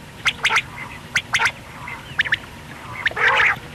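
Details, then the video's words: A quail call meant for use at night: sharp, clipped notes in quick bursts of two or three, ending in a harsher, scratchy burst. "BATAIR KI AWAZ RAAT K LIYE"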